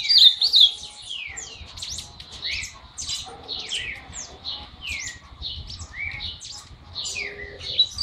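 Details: Monjita beginning its song: a lively, varied run of high, quick swept notes, some rising and some falling, given in rapid irregular succession over a quiet low hum.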